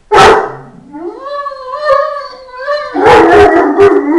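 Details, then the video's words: Fila Brasileiro dog during an attack: a sharp opening bark, then a long rising, wavering howl-like whine, followed by a burst of loud rough barking and growling; music also present. "Ataque inesperado Fila Brasileiro"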